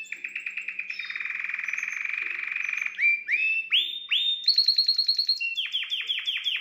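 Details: Song of a canary meant to stimulate a hen: a long rolling trill of rapid identical pulses, then a string of loud, rising, swept notes repeated at a brisk pace.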